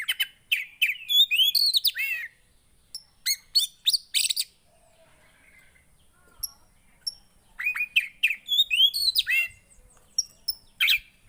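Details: Javan white-eye, a caged bird, singing to prompt a quiet bird: clusters of fast high chirps and slurred whistles separated by short pauses with scattered single notes.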